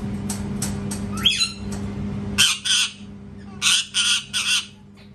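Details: Parrot screaming: after a faint whistle and some background rumble, four loud raspy squawks follow in quick succession, each about a third of a second, with a low hum underneath.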